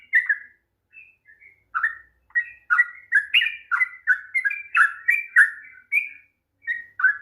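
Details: Long 'ropel'-style song of a sooty-headed bulbul, played to rouse a bird that is slow to sing: scattered soft notes at first, then a run of liquid, chirpy slurred whistles.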